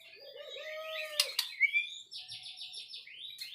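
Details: White-rumped shama singing a varied phrase: a low wavering note, sharp clicks, then a fast rhythmic series of high repeated notes and a final rising whistle.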